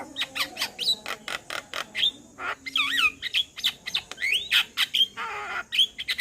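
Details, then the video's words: Calling to companions, a male Javan myna used as a lure gives a dense series of sharp, rasping clicks interspersed with looping, twisting whistled notes and quick rising whistles. "Burung Jalak Kebo Jantan Gacor Memanggil Teman Cocok Untuk pancingan jalak Pikatan"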